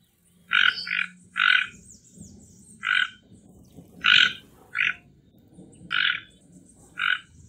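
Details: Toco toucan, native to Brazilian forests, calling in a series of about eight hoarse croaks, some paired and some single, spread over seven seconds above a low rumbling background.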